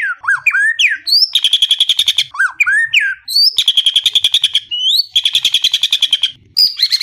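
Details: White-rumped shama delivering a full-isian song of imitated phrases: clusters of sharp whistled upslurs and downslurs alternating with long, rapid, evenly pulsed buzzy trills, the pattern repeated three times in quick succession.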